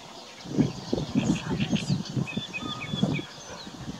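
Common raven giving a run of deep, guttural croaks and knocking notes, about two or three per second for three seconds; faint thin chirps of small birds behind.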